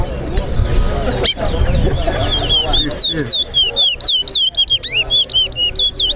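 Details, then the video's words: Chestnut-bellied seed finch, called towa towa, singing in a bird singing competition at a bird ground in Lusignan: a fast series of repeated slurred whistled notes, over crowd chatter and low rumbling background noise. "TOWA TOWA BIRD SINGING COMPETITION"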